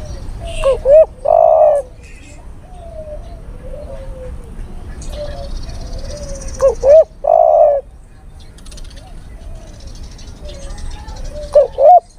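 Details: Lure sound of a male spotted dove calling a female: three loud cooing phrases about five seconds apart, each a quick rising note and then a sustained mellow coo, with quiet, falling hoots between phrases.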